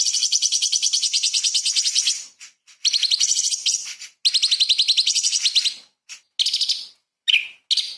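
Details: Light-vented bulbul singing energetically, recorded as a master for magpie-robins: long high rattling trills broken into several bursts, followed by short sharp chirps and a few clipped notes.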